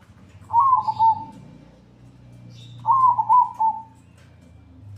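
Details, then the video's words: Zebra dove in 'atas bawah' song style for tutoring: two bubbling coo phrases about two seconds apart, each a rolled opening followed by two or three short stuttered notes, over a low steady hum. "masteran burung perkutut atas bawah gacor dor"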